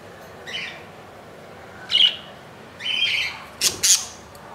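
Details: Baby budgie in the nest on its second day after hatching on 15 July 2018 at 2 AM; four harsh, high squawks in quick succession, the last two close together and loudest, over a quiet background.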